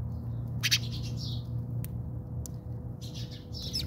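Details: House sparrows fighting in a backyard in South Africa: a harsh chirping burst, two sharp clicks, then renewed chirps, with a steady low drone behind.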